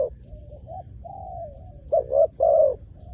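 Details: Spotted dove used as a decoy for wild doves, starting with soft, long, flat cooing notes and ending in two louder, rounded coos.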